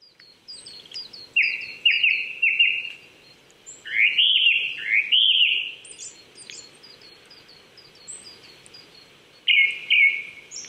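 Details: Japanese thrush singing on an April 2019 morning at 800 m in the Saitama Prefectural Forest, Chichibu, Japan: loud whistled phrases that slide and warble, given in bursts separated by pauses, with thin high twittering from other small birds behind.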